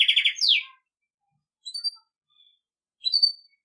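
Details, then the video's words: Belgian canary singing campainha (bell) song for training young birds: a brief rapid trill and downward swoop, then two isolated sharp high chirps separated by silence. "Canário belga campainha para treinar filhotes"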